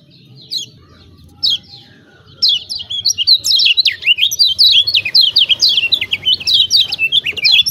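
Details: Lemon-bellied white-eye of Lombok, a caged bird singing as a lure for reluctant singers: two isolated high chirps, then a fast, dense run of twittering notes that carries on to the end.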